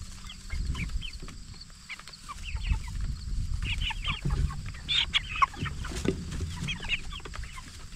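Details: Jumbo Cornish Cross broilers, 44 days old and kept for meat, chirp in scattered bursts of short falling peeps, busiest around the fifth and sixth seconds, with steady deep background rumble and occasional thumps.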